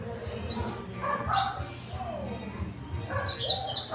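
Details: Double-collared seedeater, fast and clipped song style: a quick run of thin, high chirps and slurred whistles in the second half, after scattered lower sounds and faint background murmur.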